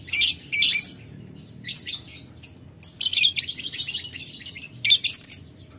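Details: Rival-calling lovebird chatter in the ngetik ngekek style: shrill grating bursts, a few isolated ticks, then a sustained run of fast high chattering notes.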